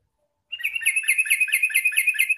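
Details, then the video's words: Yellow-vented bulbul song played to lure wild bulbuls: after half a second of silence, a fast, even run of sharp chirping notes, about seven each second, bright and ringing, continuing to the end. "Suara Trucukan Gacor Garuda Panggil Trucukan Liar"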